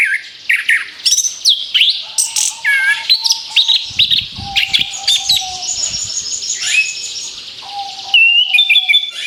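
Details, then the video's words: Song of the orange-headed thrush, used to lure other birds: a lively, unbroken medley of high whistles, chirps and fast slurred notes varying in pitch, with a faint steady low tone and brief low rustling mid-clip. "TEMBAKAN BERUNTUN SUARA ANIS KEMBANG BUAT PANCINGAN MAUT"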